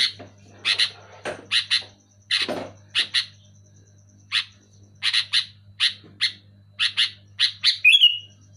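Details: Sooty-headed bulbul, described as singing loudly and persistently, giving short bright chirps mostly in quick pairs at irregular intervals, one ending in a brief rising whistle, over a steady low electrical hum.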